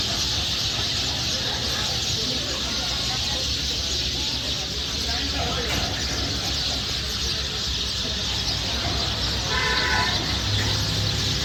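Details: A huge flock of sparrows by a highway in Jharkhand, India (Ranchi–Jamshedpur), keeps up a dense, continuous wash of overlapping chirps, with a steady low rumble of traffic underneath.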